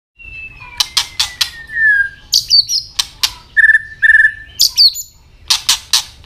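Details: White-rumped shama giving fighting song with tail-flick clicks: a long falling whistle, then sharp broadband clicks, a steady flat whistle, and bright rising notes mixed with more loud snapping clicks.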